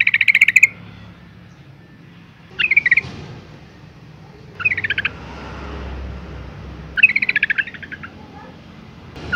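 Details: Four brief bursts of fast, buzzy chatter from a female yellow-vented bulbul calling to provoke males to sing, spaced a few seconds apart over faint background noise.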